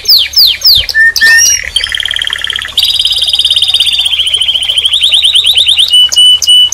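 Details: Singing canary: a few falling whistles, then a long rapid rolling trill that steadily speeds into a buzzy churr, ending in clipped high notes, with a faint low hum.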